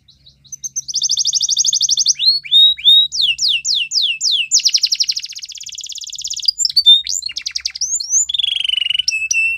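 A Belgian canary sings a long, varied song of rapid high rattling trills, swooping whistled notes and buzzy rolls, changing phrase every second or two.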